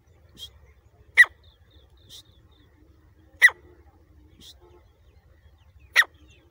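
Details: Grey francolin chicks at Layyah give sharp, loud single notes about every two and a half seconds, with fainter calls between them over a low, pulsing rumble.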